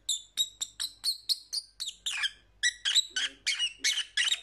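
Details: Pet lovebird calls: a steady series of sharp, high, slightly buzzy chirps about three per second, some notes dropping in pitch, with a brief lower squeak near the end.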